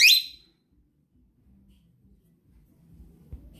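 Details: A pet cockatiel greets its owner coming home, calling loudly on hearing the car engine or door: one loud, shrill, slightly falling screech under half a second, then only faint low room murmur.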